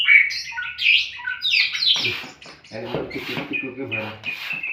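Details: Kacer, the oriental magpie-robin, in 'bukak isian' style: bright, varied whistles and chattery phrases open the passage, then a person talks underneath while the bird keeps adding short sweet notes.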